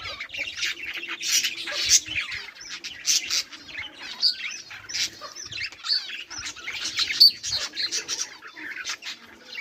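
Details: Budgies recorded on 18 July 2023, several birds chattering together: dense, scratchy warbling and chirps packed high, with sharp squeaky notes bursting out every second or so over a continuous twittering background.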